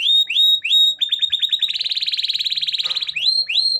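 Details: Gacor (constantly singing) canary song meant to prompt reluctant canaries: upswept whistled notes, a quick run, then a long even rolling trill before further rising whistles.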